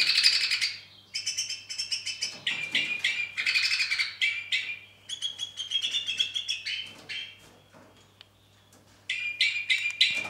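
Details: Singing Two-barred crossbill in the weather of the day: a lively stream of high chirps, buzzy trills and rattling phrases, delivered fast and irregularly, with a short quiet gap before another burst of trilled notes.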